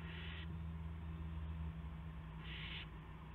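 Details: Owl at a live nest camera on March 18, 2016 at 8:00 PM, as one owl brings a gopher to another; two harsh hissing bursts about two seconds apart over a steady low hum.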